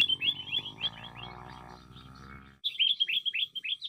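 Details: Noisy sooty-headed bulbul used as a lure bird, giving a lively run of bright, slurred chirps, three or four each second; a low musical hum fills the first half.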